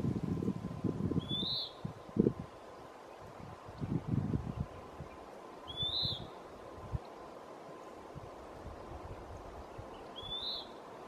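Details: Western wood-pewee at Lawrence E. Wood Picnic Area giving a burry, descending 'peeer' three times, about every five seconds, over low rustling and thumps with a faint steady hum.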